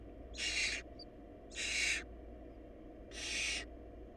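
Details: Barn owl nestlings, whose family had too little food, give three long, harsh, hissing screeches. They are spaced about one and a half seconds apart against a low steady hum.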